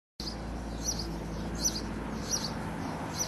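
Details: Sparrow singing, recorded because it sang so nicely: high thin chirps repeated roughly every three-quarters of a second over a steady low hum of background noise.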